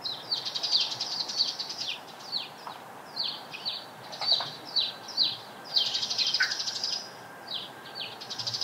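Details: Eurasian tree sparrows calling near where sparrows gather nest material: a steady run of bright, short chirps, many overlapping, in quick irregular bursts of about two per second, with a soft background hiss.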